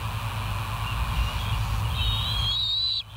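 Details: Bald eagle at the West End site, filmed by a live nature cam on 12 September 2023 at 04:28; a thin whistled note wavers and rises into a high, sustained piping tone, over a steady low rumble of wind or distant traffic.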